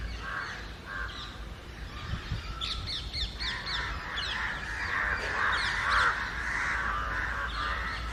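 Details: A flock of house crows and jungle crows flies and caws against someone from the trees. Hoarse caws blur into a dense, continuous chorus, with some higher chirps and low background rumble.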